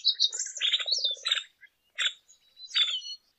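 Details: Lesser goldfinch with high whistles and harsh, buzzy bursts, set over a low rattling pulse near the start and delivered in four separate phrases.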